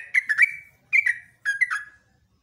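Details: Morning song of a yellow-vented bulbul: three clear bursts of bubbly, warbled notes, each a quick slurred cluster ending in a short downward whistle, spaced about half a second apart.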